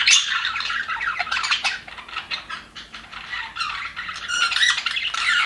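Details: A flock of budgerigars kept in an aviary, said to be happy, trades scratchy chirps and squawks in uneven bursts, softer in the middle and louder again at the end.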